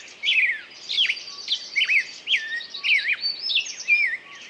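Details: Bird sings quick warbled phrases, wavering whistled notes that dip and rise, linked closely together with a faint high trill behind.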